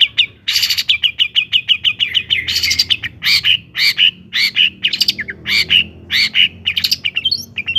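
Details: Long-tailed shrike song meant to make other shrikes sing: a rapid chattered series opening, then loud, spaced, harsh squawk-like notes mixed with clear whistled slurs, steady and energetic throughout.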